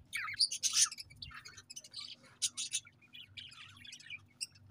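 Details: Soft budgerigar chatter with bright high chirps, short squeaky notes and scratchy warbles at irregular intervals, over a faint low hum.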